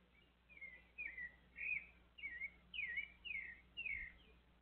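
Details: Thrush perched near a visiting small monkey, giving a run of about seven short whistled notes, each slurring downward, spaced unevenly over four seconds against a quiet background with a faint low hum.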